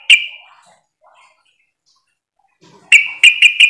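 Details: Sooty-headed bulbul call used as a lure so other bulbuls answer back; one loud, sharp, high note trailing off, a pause of over two seconds, then four abrupt clipped notes in rapid succession.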